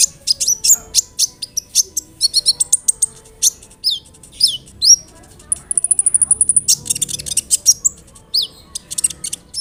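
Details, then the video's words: Melodious sunbird (kolibri ninja) chatter, meant to make other sunbirds answer: dense bursts of very high sharp chips, a few downslurred whistles, a sustained piercing whistle, then further rapid chirping. "SEMUA BURUNG KOLIBRI NINJA AKAN NYAUT DENGAN SUARA KONIN INI"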